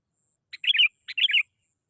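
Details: Sooty-headed bulbul calling as a lure: two short bursts half a second apart, each a quick buzzy lead-in followed by a bubbling, warbled phrase of two or three rolling notes.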